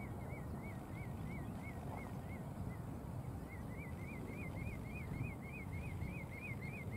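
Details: During courtship in Heemskerk, the Netherlands, a Common redshank (Tringa totanus) gives a fast series of ringing, yodelling notes, about four a second, in two bouts, over a steady rumble of wind.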